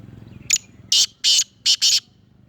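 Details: Harsh call of a Sindhi-type black francolin, Sindh or Punjab: a brief sharp note, then four strong, grating, buzzy syllables, the final pair nearly joined, above a faint low hum.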